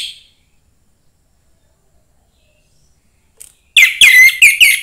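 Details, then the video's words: Young forest orange-headed thrush singing to stimulate other thrushes: after near silence, a loud burst of quick, clear whistled notes near the end, sliding and repeated about four times in one second, with no other sounds. "suara anis merah MUDA HUTAN meningkatkan felling anis merah lain"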